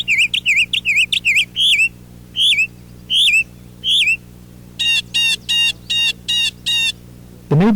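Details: A Northern Mockingbird in spring, singing after landing in a backyard tree: loud varied whistled and chirpy phrases each repeated three or more times, then imitated blue jay calls and a final raspy chew call at a house cat.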